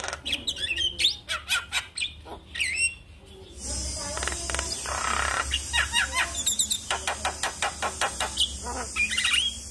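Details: Black-winged starling song played in the morning to stimulate a quiet bird to sing: varied whistles, harsh chattering and rapid repeated notes, with a buzzy high-pitched band in the second half.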